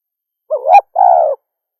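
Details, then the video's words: Female spotted dove (derkuku betina) cooing once: a wavering rising note that runs straight into a steady, even coo, loud and close, with no other sounds. "SUARA DERKUKU BETINA"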